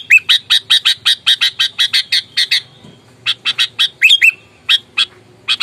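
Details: Aggressive, fighting sooty-headed bulbul used as a lure to provoke rivals: a rapid run of about a dozen evenly spaced harsh chack notes, a short pause, then further scratchy bursts and a few slurred whistles.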